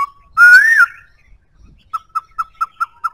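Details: Black-throated laughingthrush giving a loud, drawn-out rising and falling whistle, then after a pause a steady series of six short clipped whistled notes about a fifth of a second apart.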